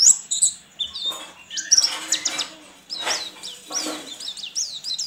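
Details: Caged white-eye entered in an online singing contest, from Sambas, West Kalimantan: a rapid, high, twittering song of thin chirps and short falling whistles with a few louder bursts.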